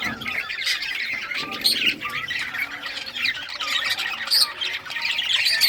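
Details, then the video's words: Budgies in rare colours playing with toys, keeping up a constant mix of squawky chirps, warbling chatter and thin whistled notes from multiple birds. "Budgies all rare colors playing and chirping sounds playing with toys"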